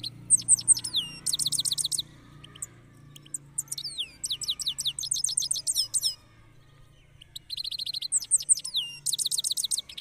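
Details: European goldfinch kept in a red cage delivers rolling song: fast sweeping high chirps and dense buzzy bursts separated by brief pauses, over a faint low hum.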